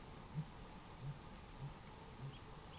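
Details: Blue grouse mating call: four faint, very low, deep hoots spaced about every 0.6 seconds over steady background hiss.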